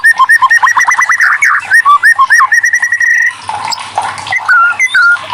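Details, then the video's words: White-rumped shama prompt song for birds that are slow to sing: rapid repeated whistled notes at about two per second, building into a rising trill, then softer scratchy twitters and a final clear whistle. "TERAPI MURAI BATUterampuh burung macet langsung gacor"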